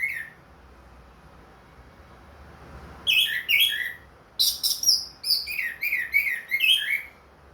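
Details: Orange-headed thrush, a caged ring-banded bird singing freely again after its moult, in 'plong' style: a long varied sequence of whistled and slurred notes, some high and piercing, others dropping lower, in quick irregular bursts.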